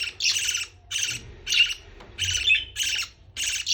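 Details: Young parrot begging as it is fed, giving harsh buzzy squawks in roughly half-second bursts, repeated about every half second with brief gaps.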